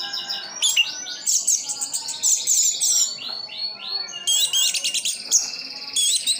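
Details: Kept Orange-headed thrush in Sidoarjo, East Java, giving high buzzy trills and sweeping whistled phrases, including a series of repeated rising notes, in a steady energetic song.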